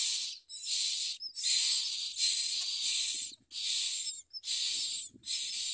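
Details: Common myna chicks fed by their mother, biting at her; strong harsh hissing rasps repeat in pulses about a second long, with faint squeaky notes between.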